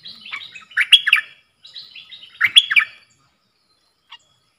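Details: Caged ดอกแตง-style bulbul answering wild birds in a song duel, 3 October 2021: two lively phrases of fluty, warbled notes about a second and a half apart, then quiet with one faint note.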